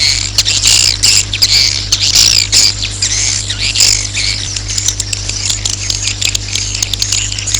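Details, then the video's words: Swiftlet roosting call, played to attract swiftlets to roost: busy high squeaky chatter and sharp chirps, loudest early on, then thinning, over a steady low electrical hum. "Suara Walet Inap"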